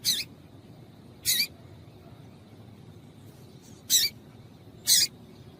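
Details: Four short, high, scratchy chips from a female Double-collared Seedeater, spaced unevenly about a second or more apart, over a faint low hum; female call used to stimulate males to sing.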